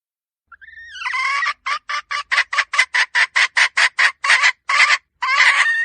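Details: A rising whine leads into a hen's rapid series of hoarse, clipped clucks, about two to three per second, ending in a longer rasping squawk; recorded in 2023.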